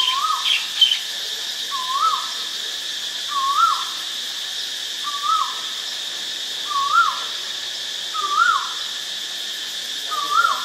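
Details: White-vented myna at Ubon Ratchathani, Thailand, 8 March 2022, giving a series of seven short upslurred whistles, each dropping away at the end, roughly every one and a half seconds over a constant high insect drone.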